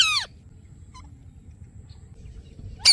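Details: Ringneck parrot natural calls: two brief harsh screeches, one descending steeply at the start and another at the end, separated by near silence with faint background hum.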